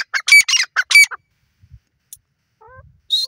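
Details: Wild grey francolin, a female, giving loud harsh ringing calls in a rapid burst of about six notes within the first second, followed by quiet pauses with faint distant sounds.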